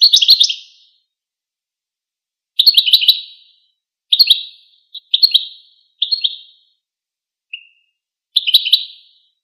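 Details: Goldfinch singing a series of dense, bright, chattering bursts and shorter twitters spread over several seconds, with a soft single chirp in between and no background noise.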